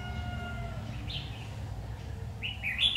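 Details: At a trapping site on 7 August 2019, a red-whiskered bulbul sings a short warble, pauses, then delivers a louder rising chattering phrase, with a thin whistle-like tone and low background hum.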